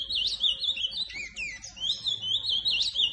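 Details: Ultramarine grosbeak song: a rapid, unbroken run of high warbled whistles, each note sliding up and down, with a brief lower dip midway.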